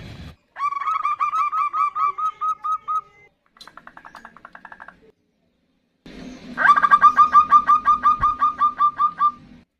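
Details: Female zebra dove calling the male, nutut style: long, even run of short rising notes, a softer quicker series, then a loud, dense run of clipped notes over a low steady hum.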